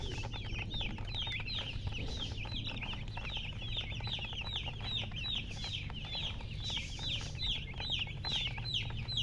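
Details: Chicken chicks chirping: a dense, continuous chorus of high, short peeps, many overlapping and descending, with several birds calling at once over a steady low hum.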